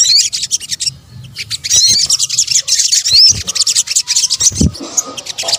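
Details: Sunbird calls, known locally as sogok ontong, combined for luring birds: shrill, rapid twittering runs with sharp rising whistled sweeps, a brief lull near the start, and a soft low thump late on.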